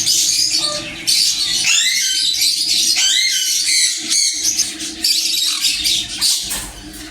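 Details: Sun conures give harsh, piercing screeches and squawks that overlap almost without pause, with several birds calling at once in a loud, shrill chorus.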